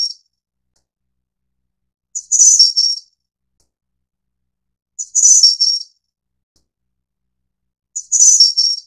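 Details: Snowy-browed flycatcher, subspecies innexa endemic to Taiwan's mid and low elevation forests: a clipped phrase end, then three thin, high lisping phrases repeated every three seconds, each stepping slightly downward.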